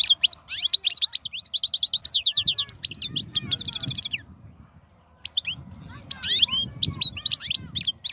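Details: Wild European goldfinch singing busy, high twittering phrases and a dense rapid trill. After a short pause it resumes with scattered chirps over a low rumbling background noise.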